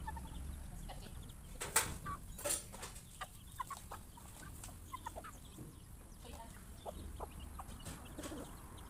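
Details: A flock of farm chickens eating their next meal and surprised by a noise; brief clucks and soft chirps scattered through pecking taps over a steady low hum.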